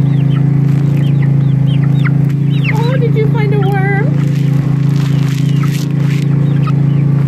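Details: Flock of twelve chicks (Barred Rock, Rhode Island Red and Sex-link, four of each), 3-12-2016: repeated high, arching peeps from several birds, a brief wavering lower trill mid-clip, all over a constant loud droning hum.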